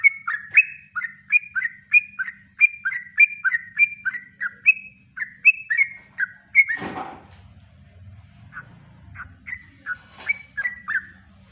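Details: Yellow-vented bulbul singing naturally, a master recording for training birds: a steady run of brisk, bubbly whistled notes for about six seconds, a sudden clattering knock, then sparse scattered notes.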